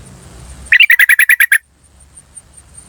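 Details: Yellow-vented bulbul calling cuk cuk cuk, a wild recording meant to lure birds: one tight run of eight or nine evenly spaced, harsh chattering notes lasting under a second, then quiet background.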